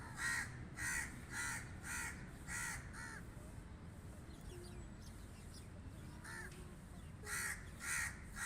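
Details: Crow cawing in a quick, even run of about six harsh, hoarse caws roughly every half second. A pause follows, then a second burst of four loud caws, with a low, steady rumble underneath.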